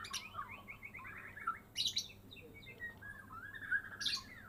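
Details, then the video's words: Caged white-rumped shama of the Medan type in full gacor song after its first moult: a quick run of falling whistled notes, then sharp high chattering bursts at about two-second spacing, with smooth slurred phrases in between. "Murai medan gacoor full isian"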